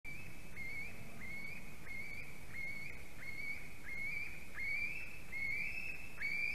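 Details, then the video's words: White-tailed eagle chick screaming as its mother delivers a fish at the nest, Durbe, Latvia, 31 August 2020, 4:50 pm: thin upslurred whistles repeated about every 0.7 seconds over steady low rumbling background noise. "Dangerous fish delivery by Milda for her screaming devil"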